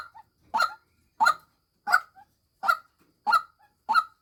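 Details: Female white-breasted waterhen uttering loud, rough honking notes about every 0.7 seconds, with short faint notes in the gaps and near silence otherwise.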